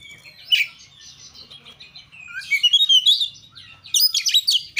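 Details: Oriental magpie-robin (kacer) in 'gacor' song: soft, quieter warbling at first, building into a louder quick run of varied high notes and ending with a dense burst of sharp chirps.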